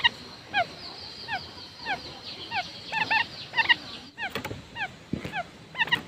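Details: Lure calls of a decoy quail: rapid series of clipped, descending whistled notes with ringing harmonics, some in tight clusters, a few clicks near the end, hiss throughout.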